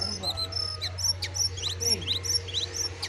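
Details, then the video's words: Sooty-headed bulbul, a wild bird confronting a caged one until the wild bird flees; rapid, bright, high chirped notes come in quick uneven bursts over a steady low hum. "Aksi Jongkangan Liar Vs jongkangan sangkar, jongkangan liar sampai kabur"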